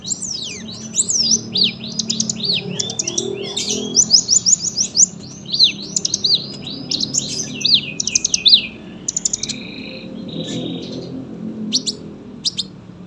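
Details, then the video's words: Sunbird singing a long, dense song for tutoring other cage birds: a rapid cascade of thin rising and falling whistles, followed by short chirps and a steady high note. "KOLIBRI GACOR PANJANG SUARA RAPET, PAS BUAT MASTERAN BURUNG BAHAN."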